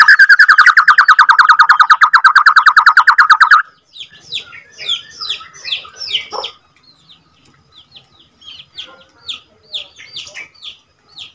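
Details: White-rumped shama of the Borneo type, a second-generation (F2) bird, singing a long rolling song ('ngerol panjang'). It opens with a loud, rapid buzzy trill for about three and a half seconds, then varied high whistled and chirping phrases.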